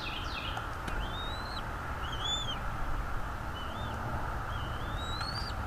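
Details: Quieter Bald eagle calls at the nest, nest camera, 23 April 2021, 07:25: short, high, upslurred and arched whistled notes scattered unevenly across a few seconds, against continuous low background noise.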